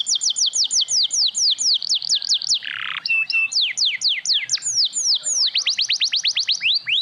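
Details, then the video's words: Sogon lure song meant to set other sogon singing, with crecetan and tembakan: a fast, loud run of sharp downslurred high notes, about two per second, broken by a brief harsh burst near three seconds, then resuming rapidly. "Suara Sogon Gacor - Sogon Ijoan, Trotol, Macet Pasti Langsung Nyaut"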